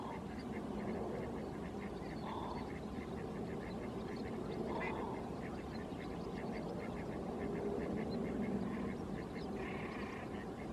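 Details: Great crested grebe (Podiceps cristatus) gives quick, harsh, quacking notes, about three a second, with a couple of lower nasal bursts, over a steady wash of wind and water.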